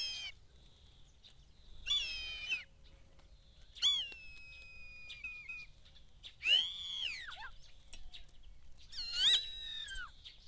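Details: Common starling singing in morning mist in the Eifel near Dohr, Germany: wheezy, harmonic-rich whistled phrases roughly every two seconds, some rising and falling, one long steady whistle, with quiet pauses between.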